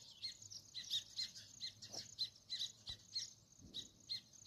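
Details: Several sparrows chirp busily, sharp high notes tumbling out two or three times a second in an uneven chorus, with a couple of soft thuds and a faint low hum in the background.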